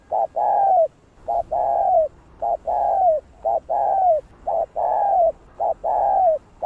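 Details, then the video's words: Spotted dove cooing steadily to excite other doves: a short note followed by a long falling coo, repeated about once a second in an even rhythm, quiet background. "Cu Gáy Gáy GỌI + GÙ Giọng Hay Hạp Bổi Kích Bổi Say Máu"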